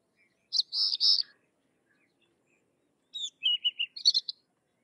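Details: Sykes's lark singing two high phrases: first a dense buzzy trill, then after a pause a series of clipped descending notes ending in a sharp flourish.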